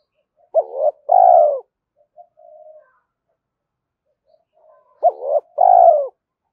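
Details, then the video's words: Spotted dove giving driving and calling coos meant to provoke a rival: two paired phrases of a brief hooked note followed by a long, low, falling coo, separated by quiet murmurs and about four seconds of near silence. "tiếng cu gáy kích bổi nhanh nổi hiệu quả, tiếng thúc và gáy gọi"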